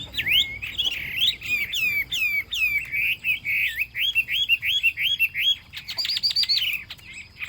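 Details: Chinese hwamei delivering a loud, varied song: clear whistles that rise and fall, quick repeated curling notes in a steady series, then a burst of high trilled phrases.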